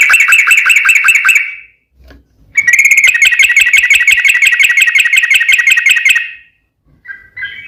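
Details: Yellow-vented bulbul with long, lively song used as a lure to make other bulbuls sing; rapid rhythmic bubbling notes in two sustained runs, the second lasting several seconds, then brief soft chirps.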